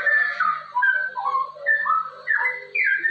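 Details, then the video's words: Straw-headed bulbul, local name cucak rowo, delivering rapid 'ropel' song for tutoring other birds: rich, slurred whistles stepping up and down in quick succession, full and warbling, with a low continuous background tone. "suara cucak rowo ropel ini sangat cocok untuk masteran dan pancingan cucak rowo"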